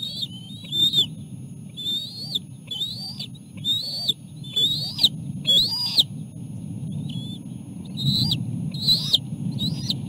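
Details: Osprey at the nest during feeding of three chicks on a small fish: a loud series of sharp, whistled, arching chirps repeated roughly once a second, each slurring up then down, over steady low-pitched rumble.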